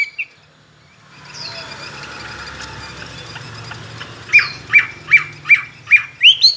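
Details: Caged tame Chinese hwamei, trained contest singer with many wild voices. After a stretch of faint background hum and noise, six loud ringing whistled notes come in an even row near the end.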